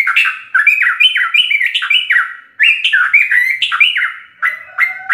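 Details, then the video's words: Sooty-headed bulbul in busy 'ropel' song full of varied fill-ins, used to tutor captive birds: dense run of loud, slurred whistled phrases stepping up and down, followed by a pause and a few clearer notes. "Ropelan trucuk gacor full isian"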